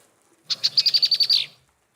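A female Red-winged Blackbird gives a rapid chatter of about nine sharp, high notes in one second, ending in a brief buzzy trill.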